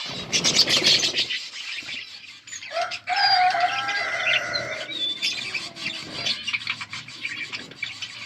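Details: Budgerigar chatter from August 15, 2024: high rapid chirps and warbles with a low fluttering rustle at the start, then clearer whistled notes and a drawn-out tonal call mid-way amid ongoing twittering.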